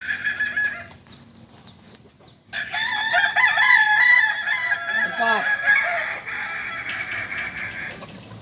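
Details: Kukuak balenggek roosters crowing at a joint practice session in Panyakalan, Solok: long harmonic crows that hold steady and then waver in stepped, terraced phrases, with several birds overlapping after a quieter opening and murmuring people.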